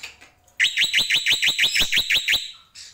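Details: Black-winged myna (jalak pito, jalak putih) giving a tembakan burst: about eleven loud, rising, sharp chirped notes in rapid even succession over nearly two seconds, ending abruptly, followed by a brief hiss.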